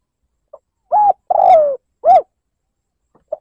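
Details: Provoking lure coo of a spotted dove in the 'liêu lỡ' style: a soft lead-in note, a short coo, a long falling burry coo and a short arched coo, ending with two faint soft notes.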